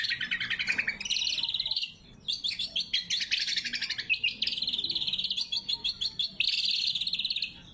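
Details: Lesser green leafbird singing loudly for lure and training use: near-continuous rapid trilling, first lower then stepping higher, with a brief pause near two seconds and sharp clipped notes later.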